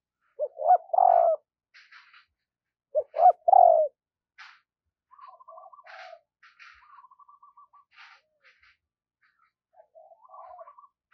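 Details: A decoy spotted dove coos in the morning to attract wild doves. Two quick, hoarse coo phrases open the recording, followed by thin high chirps and twittering from other birds and faint buzzy notes.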